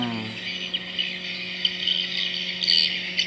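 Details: Swiftlet sound from a sensor wired to capture live birds at a swiftlet house, without recorded memory: a dense, high, continuous twitter of quick chirps over a steady low electrical hum.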